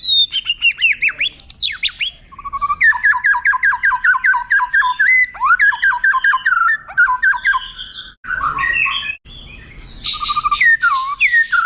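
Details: White-rumped shama song used as a tutor for contest birds, with long prominent phrases: rapid repeated downslurred notes near one pitch, sweeping high whistles, and a brief rough buzzy passage.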